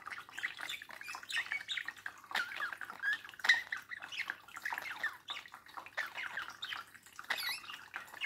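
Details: Domestic budgerigar at a mirror, babbling in a quieter, continuous stream of warbled squeaks and chirps over a light background hiss.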